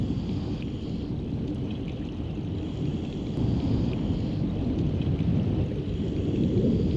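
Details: A dense low rumble like rain, thunder or rushing water fills the recording, with no animal call audible.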